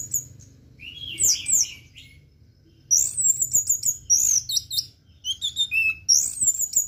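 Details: 'Teler' song of an orange-headed thrush, meant to tutor and provoke birds: after a quiet start, dense bursts of high twittering, slurred whistles and quick chirp sequences follow one another.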